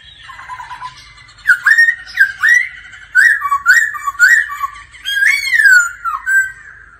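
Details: Laughingthrush practising its song daily with a female's 'ro ro' calls. It sings bright, varied whistled phrases with quick slurs and falling notes in bursts, with brief pauses between them.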